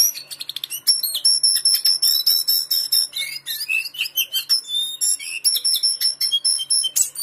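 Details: Lesser shortwing kept in a collection in Pekanbaru, singing a rapid, jumbled stream of very high, thin whistles and trills with sharp, changing notes, continuous throughout with brief gaps.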